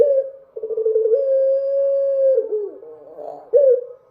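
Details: Night song of a dove: one long, level, low coo held for over two seconds, then a wavering, sliding phrase and a brief final coo.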